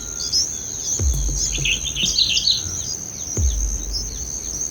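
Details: Bulbul nestlings being fed red cherries by their mother in the nest give a brief burst of high, squeaky begging chirps over a steady, shrill insect drone, with a few low thumps.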